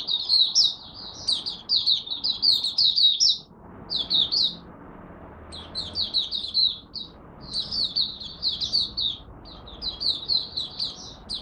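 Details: Oriental white-eye from Malaysia warming up at the day's first session (buka sing), 01/08/2023: long runs of rapid high-pitched twittering notes, broken by brief gaps, over faint low background hum.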